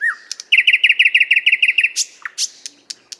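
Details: Nightingale in a Moscow park, the 50th Anniversary of October park, recorded on a shotgun microphone: a fast rhythmic series of about twelve identical loud chopping notes, then sharp high whistles and clicks.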